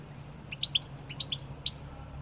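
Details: European goldfinch singing: a quick series of short, bright twittering notes at high pitch, rising and falling in little clusters over about two seconds, with a faint low hum underneath.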